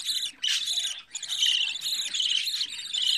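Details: Captive-bred budgerigar chick, day 14 of its growth at home: loud grating rasps in pulsing bursts, each lasting about half a second, barely separated, with a faint thin whistle inside.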